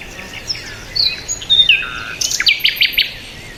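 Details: Chirping birds: a lively run of varied high whistles and slurred chirps, some rising and some falling, followed by a cluster of quick, loud, clipped notes in the last second and a half, against a calm background.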